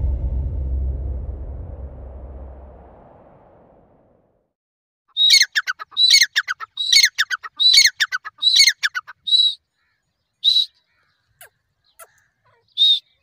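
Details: Grey francolin (teetar) calling: after about four seconds of low rumbling noise, a loud run of harsh, ringing, high-pitched phrases in quick succession, each with a clear tone then rattling notes, tailing off into a few isolated single whistled notes.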